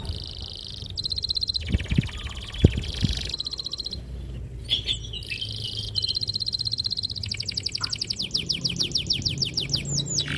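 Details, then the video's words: Singing canary with long rolls, clear and sharp, played to lure young birds into song: high rapid trills broken by short gaps, ending in a run of fast sweeping notes over a low background rumble. "PANCINGAN KENARI GACOR PANJANG || PANCINGAN KENARI PAUD BELAJAR BUNYI"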